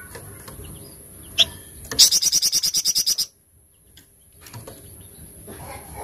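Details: Flamboyan in 'tembakan cadas' mode: a single sharp note, then a tight burst of about twelve quick, shrill, evenly spaced notes, followed by quiet with faint low background sounds.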